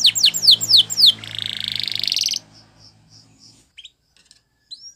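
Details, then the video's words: Canary singing for song training, Spanish Timbrado style: a few falling whistles, then a buzzy trill over a low hum, fading into scattered soft notes with a background drone. "Unexpectedly, The Sound Of This Canary Attracted Many Canaries To Song"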